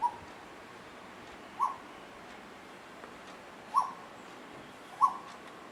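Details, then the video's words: Two Asian koels singing and playing with each other, heard as short, clipped, mid-pitched notes, four in about five seconds at uneven spacing, over a steady soft background hiss. "Cuckoo Birds (Koyel Bird) singing and playing"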